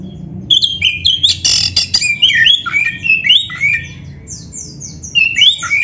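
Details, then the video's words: Black-breasted oriental magpie-robin (kacer dada hitam) song, used as a training and lure recording for caged birds: loud mix of harsh scratchy notes and clear whistles, rising and falling slurs, with fast descending trills near the end. "SUARA BURUNG KACER MASTERAN"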